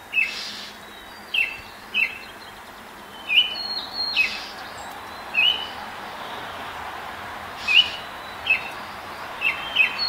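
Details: Sunrise song of a Baltimore oriole, 10 May 2024 at 5:40 a.m., moving through a neighbour's apple tree while pecking; repeated clipped whistles roughly every second, mixed with buzzy bursts and high calls from other birds.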